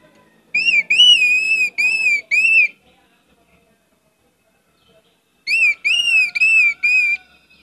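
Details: Orange-headed thrush in lively song, used as a lure with many varied phrases: two bursts of four or five loud, arched whistles separated by about three seconds of silence.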